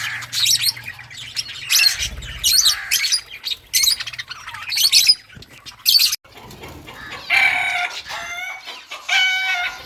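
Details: Lovebirds of assorted mutations squawking: harsh, noisy bursts repeated about every second, then a few shrill, ringing chirps toward the end, with brief quiet gaps between.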